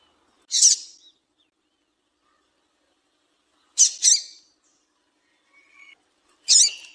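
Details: Female double-collared seedeater calling, used to stimulate males to sing: three short, harsh high chirps spaced about three seconds apart, the middle one doubled, with near silence between.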